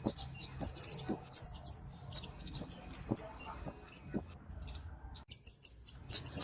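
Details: Cabe-cabean song of a Kemade, clear recording meant as master and lure: bursts of very high, sharp, flicking notes in quick series, a short thin whistle, a near-silent gap, then a final high trill.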